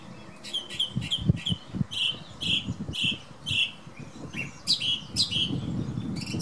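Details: Repeated clear, ringing notes from a male thrush singing every morning by a bedroom window, about two per second, occasionally topped by higher sharp notes, with wind buffeting in the background.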